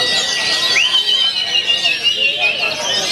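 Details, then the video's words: Oriental magpie-robin singing a steady, bright whistled song with sliding, wavering notes over a dense, hissy background of high chatter, with clapping and music. "Kacer Singa Beringas, Maennya Saja Begini???"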